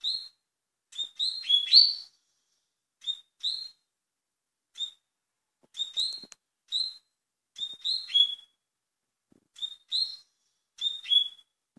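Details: Fast-style double-collared seedeater song: high, sharp two- and three-note chirps repeated in clusters every second or so, with a brief louder flurry near the start and silence between phrases.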